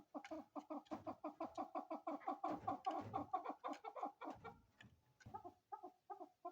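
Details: Female chukar partridge repeating rhythmic, throaty chuck notes in quick succession, with a brief falter before the clucking resumes.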